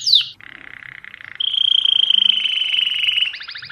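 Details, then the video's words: Song of a mosaic canary opening with a falling whistle, then a soft buzzy roll and a loud sustained high trill ending in quick pulsed notes. "تغريد كناري الموزاييك"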